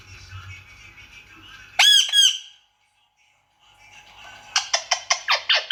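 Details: Indian ringneck parrot utters two harsh, buzzy squawks, falls silent, then bursts into a quick series of about seven sharp, screechy notes, with faint low background hum at the start.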